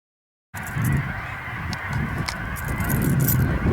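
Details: Massive flock of Canada geese settling down in a field before nightfall, low honking calls rising and overlapping steadily from many birds, with a constant background hum.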